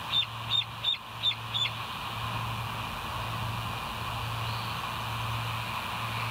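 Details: West End bald eagle, live camera, morning of July 7, 2023 at 06:21: five soft, high whistled notes in a brisk row during the first two seconds, then only a steady low hum.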